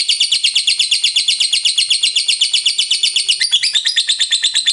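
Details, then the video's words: Long ngekek chatter from a fighter lovebird, used to provoke other lovebirds into song: steady rapid pulses of high, harsh squeaky notes, about five a second, with a brief sharper shift near the end. "Suara Lovebird Ngekek Panjang Durasi Mantab"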